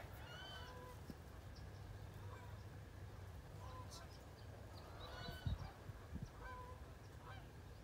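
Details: Wood ducks in 2018 give thin, squealing whistles with a nasal edge, repeated about every two seconds over a steady low rumble and a couple of dull thumps.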